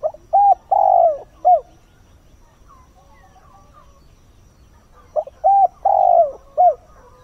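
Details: Dawn calling by a decoy spotted dove meant to draw in wild birds: two matching phrases of low hooting coos, short note, short note, long drawn note, short note, separated by a few seconds of faint background chirps.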